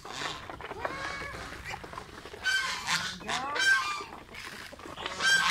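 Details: Pet geese give loud, harsh honks in bursts, each about half a second and recurring every second or so, with softer nasal calls between them; the geese are kept alongside ducks.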